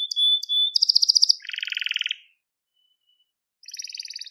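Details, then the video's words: Crested Gloster canary in song, recorded as a tutor for young canaries: a pure steady whistle, a rapid ringing trill, then a lower dry rattle; after a pause another trill begins. "Muhteşem Tepeli Gloster Kanarya Ötüşü | Gloster Kanarya Sesi"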